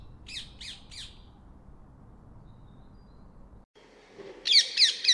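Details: Rose-ringed parakeet: three quick harsh screeches, a quiet gap, then a louder, shrill burst of rapid squawks.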